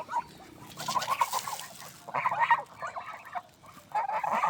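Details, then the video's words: Swans in a village setting give hoarse, nasal honking calls in three bursts of about half a second each, with a soft, low murmur between them. "Swan original sound"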